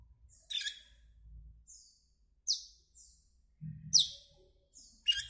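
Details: Asian glossy starling giving sharp, high, downward-sweeping chirps and whistled notes in short bursts every second or so, with brief soft low thumps between calls.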